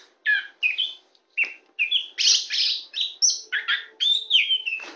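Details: Champion tame Oriental magpie-robin (kacer poci) singing on a hand: separate loud chirped and whistled notes, each about a third of a second, ending in a long descending whistle.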